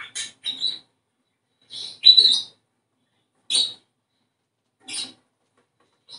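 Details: Budgerigar song meant to encourage breeding condition: sparse, sharp chirps with a clipped, slightly rising whistle inside, spaced about a second or more apart, the loudest a double chirp near the middle.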